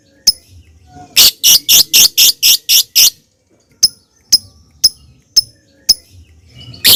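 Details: Lovebird lure song in the ngetik style, played to prompt other lovebirds to sing: seven harsh, buzzy bursts in quick succession, then a pause and sharp, separate ticking notes spaced about half a second apart.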